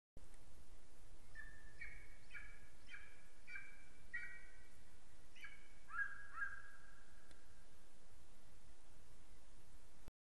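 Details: Golden eagle (Aquila chrysaetos) calling in Estonia on 8 April 2018: a run of about eight thin, clipped yelps, spaced roughly half a second apart, over steady background hiss.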